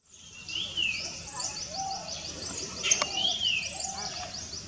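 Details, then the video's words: Three greater racket-tailed drongos calling together: clear rising and falling whistles mixed with rapid high chattering notes, several birds overlapping in a busy, constant stream. "Racket Tailed Drongo Call"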